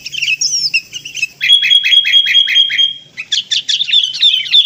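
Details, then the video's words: Sooty-headed bulbul (Pycnonotus aurigaster) lure call: bright, bubbly whistled notes, then a fast run of repeated chirps over a steady high whistle, ending in loud rising chatter. "SUARA PIKAT BURUNG KUTILANG"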